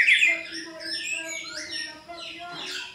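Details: White-rumped shama song used as a lure to provoke a caged shama to answer and show its full repertoire: a loud slurred whistle at the start, then varied warbled phrases sliding up and down, with a steady low tonal hum beneath.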